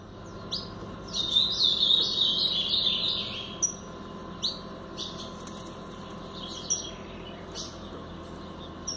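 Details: Brown-plumaged Blue-black grosbeak singing in the Paraná style: a quick warbled phrase of high, sliding whistled notes lasting about two seconds, followed by a few scattered short chips.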